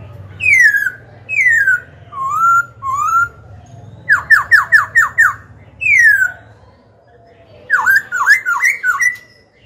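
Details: Black-throated laughingthrush singing to rouse rival birds and train young ones. Mellow downward-sliding whistles come one after another, broken by rapid bursts of five or six short staccato notes and a final wavering trill, over a faint low hum.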